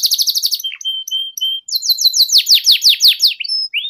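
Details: Canary ngeriwik tutor song for juveniles: a rapid chirping run, several level whistled notes, then a string of loud downward-sweeping notes and a closing rising slur.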